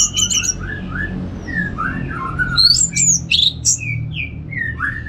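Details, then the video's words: Orange-headed thrush, kept as a cage bird in northern Bali, singing a relaxed varied song: slurred whistled phrases and sharp high squeaky notes with clicks and buzzy trills, over a low steady hum. "$uara ANIS MERAH Ngeplong Santai"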